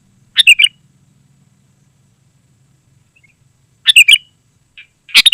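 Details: Sooty-headed bulbul in vigorous song, used to call wild birds and tutor caged ones: short chirpy phrases of bright whistled notes, one near the start and two near the end, with a faint low hum.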